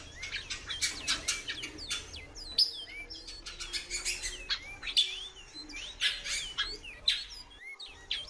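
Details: Many brief whistled notes from a female great-billed seed finch, each a small hooked slur rising or dropping in pitch, given rapidly over steady clicking and rustling.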